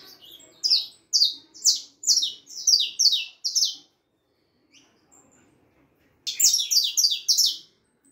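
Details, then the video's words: Young harlequin saffron finch, 4.5 months old, sings a loud string of sharp downslurred chips, falls quiet for two seconds, then resumes with a rapid dense cluster of notes. "canario da terra filhote arlequin cantando muito 4 meses e meio de vida canario ancestral"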